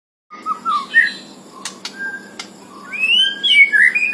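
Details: White-rumped shama released from its cage, singing a full varied song: scattered whistled phrases and short sharp clicks, building into rapid rising and falling whistles at the end over steady background hiss.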